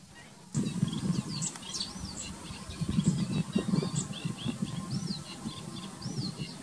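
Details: Greater flamingos at the lagoons of Alcázar de San Juan, Ciudad Real, Spain, in June 2021, giving steady low nasal goose-like gabbling and honking, with thin high whistles and twitters from small birds above.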